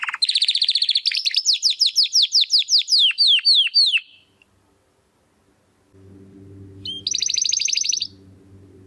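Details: Spanish Timbrado canary, young and still finding its full song, sings a string of repeated falling whistled slurs for four seconds, pauses amid faint low background hum, then adds a short bright trill.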